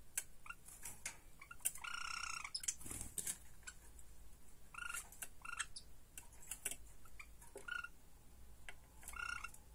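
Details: Captive Java sparrow chicks, 49 days old, indoors: short nasal, harmonic chip notes in brief bursts, mixed with clicks, taps and rustling from the room.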